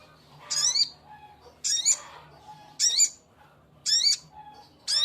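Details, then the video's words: Male sogok ontong calling to a female: harsh, stacked high chattering notes about one second apart, each a short scratchy burst with a faint rising overtone, five calls over a quiet background with a low hum. "Suara burung sogok ontong jantan memanggil betina"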